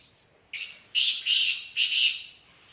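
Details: Black francolin, locally kala teetar, calling at Khushab: a brief lead note followed by three loud, harsh, grating notes, the phrase lasting about two seconds against a quiet background.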